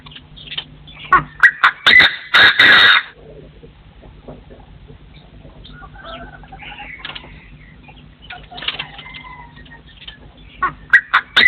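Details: Partridge crowing in forest, 2024: a cluster of loud raspy notes around two seconds in, then quieter chirps and a fresh run of short harsh notes near the end, over a constant low drone.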